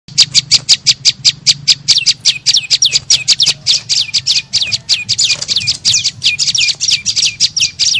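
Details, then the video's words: Prenjak lumut (tailorbird) lure call used to attract birds: rapid, high chirping notes repeated several times a second, many sweeping down to a sharp low tail, in a dense continuous stream. "SUARA PIKAT BURUNG PRENJAK LUMUT PALING AMPUH"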